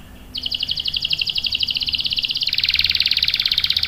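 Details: Canary song for luring and tutoring young canaries: a rapid, even rolling trill that jumps to a higher, fuller buzzing trill partway through; faint background hum.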